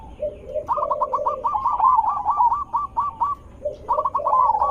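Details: Zebra dove, a big, sweet-voiced lure to draw zebra doves into answering. A long rapid series of clipped cooing notes over a low burbling undertone, a short pause, then another run begins.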